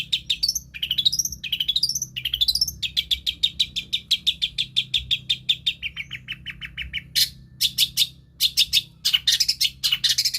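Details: Long-tailed shrike mimicking several bird species: a few upward-sweeping whistles lead into a long, steady, rapid trill of identical notes, followed by scattered harsh, scratchy bursts.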